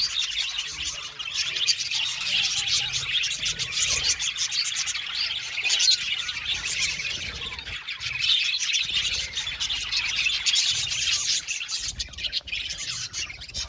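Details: Budgerigar colony chattering in an aviary, a steady, dense chorus of high warbling and chirps from many birds, with no pause across the whole stretch.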